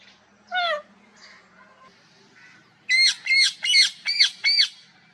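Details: Parrot with one falling whistle, a pause, then a fast run of five harsh, ringing squawks about two per second.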